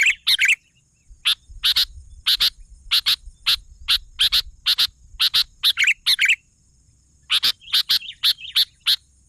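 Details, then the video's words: Sooty-headed bulbul in lively song, giving clipped high chirps in uneven runs, with a few slurred warbling phrases and a short gap midway; faint low rumble underneath. "suara burung kutilang gacor"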